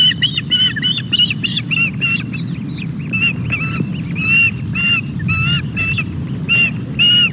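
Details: Hungry osprey chicks being fed at the Loch of the Lowes nest, Scotland, 24 May, giving a persistent series of clear, high whistled cheeps, roughly two per second, some paired, over steady low wind noise.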